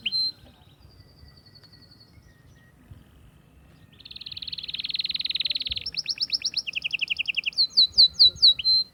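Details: Atlantic canary song aimed at stimulating hens to mate: a brief chirp and a faint high trill, a silent gap, then a loud, dense trill, a higher two-part rolled trill, and a series of crisp, falling chirps.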